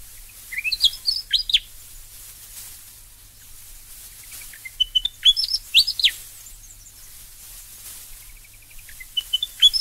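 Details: Australian Willie Wagtail singing repeated lively whistled phrases, each a quick cluster of swooping, slurred notes with a few thin higher notes between, spaced by short gaps over a quiet low hum.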